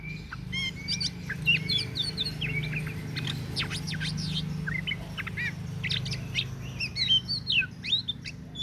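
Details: Oriental magpie-robin (kacer daput) pouring out dense, rich song: rapid sharp whistles, steep up-and-down sweeps and chattering notes almost without pause, backed by a steady low hum.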